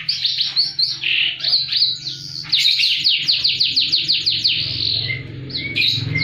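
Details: Lively canary song in the high-and-low style for encouraging silent canaries: dense chirps and rapid series of falling notes repeated quickly, over a low hum in the background.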